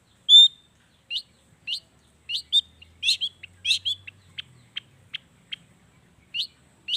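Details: Long-tailed shrike lure song rich in natural mimicry: a clear high whistle opens, followed by sharp, thin chips and squeaks spaced irregularly, some doubled, with short silences between.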